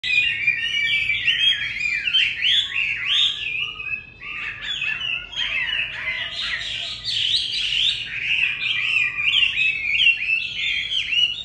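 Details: Captive Chinese hwamei (Garrulax canorus), Vietnam, singing a loud, continuous run of rich whistled phrases full of rising and falling slurs and quick trills, with no real pauses.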